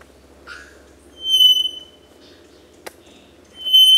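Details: Three-wattled bellbird in Costa Rica, whose song carries over 1 km, giving two loud, pure, ringing whistles, each held over half a second, with a brief lower chirp and a sharp click between.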